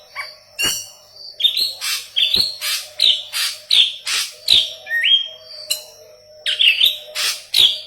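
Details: Strongly singing yellow-headed leafbird, meant as training song for Cucak Ijo: steady rapid chirping with metallic twanging notes, one long rising whistle midway, then more chirps.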